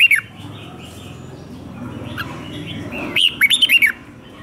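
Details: Red-whiskered bulbul, captive, in fighting song for training: a brief whistled note at the start, then after a pause a quick run of five or six bright, slurred whistles near the end over low hum.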